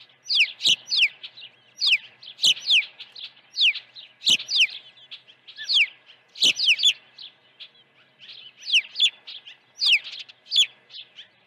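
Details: Osprey at the Dunrovin Ranch nest during an early morning feeding, 1 June 2019: a steady run of shrill, descending whistled chirps, mostly in clusters of two or three, roughly every second throughout.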